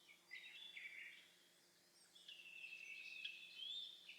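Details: Early-May morning on a Shinetsu plateau: an Eastern buzzard's long, thin whistle drifting slightly downward rises over scattered chirps and trills of small songbirds.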